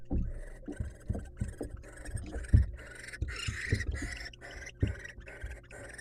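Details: Wild barn owls at a monitored nest box as the male brings a mouse to the female. Harsh, hissing, breathy bursts repeat about twice a second, mixed with low thumps and knocks from movement in the box.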